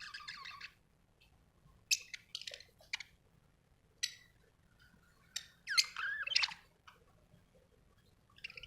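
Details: Budgie chirps and scratchy squawks come in irregular short bursts, with a longer chattering warble near the middle and quiet gaps between calls.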